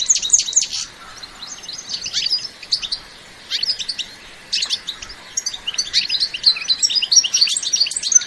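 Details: European goldfinch in enthusiastic batbata song, with no sound effects: clusters of fast tinkling chirps and trills separated by brief silences, becoming denser and continuous toward the end.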